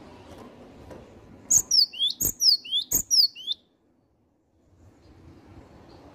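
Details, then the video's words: A singing gelatik batu, the cinereous tit: a run of about four piercing whistled phrases, each dropping in pitch, spaced roughly two-thirds of a second apart, framed by quiet room-like background noise. "GELATIK BATU HEBAT,GACOR LOSS"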